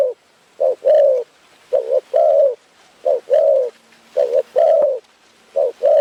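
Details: While trappers in Phrae, Thailand wait for birds, a Spotted Dove coos in a steady rhythm: a quick short note followed by a longer soft low coo, the pair repeated roughly every second.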